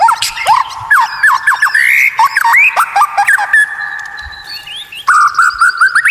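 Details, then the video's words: White-rumped shama kept in a cage, masteran tutor recording of unusual song: loud chopped whistled notes sliding up and down, then a long steady buzzy tone ending in a rapid rattling series. "Masteran murai batu Suara Aneh unik langka"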